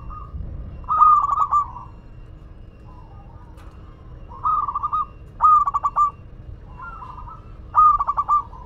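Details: Local Madura zebra dove in lively song: a series of rapid trilled coo phrases, each a quick run of pulsed notes, alternating with softer lower coos at irregular intervals.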